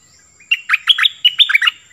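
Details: Brief nok dok taeng song phrase in the 'phleng boen' style: a soft lead-in note, then about eight clear, ringing whistles, some rising, some dropping, in quick succession, for young birds to copy.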